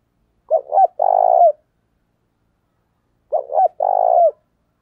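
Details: Two identical spotted dove phrases nearly three seconds apart, each two quick rising coos then a long vibrating coo, given as a lure call to provoke other males; otherwise silent.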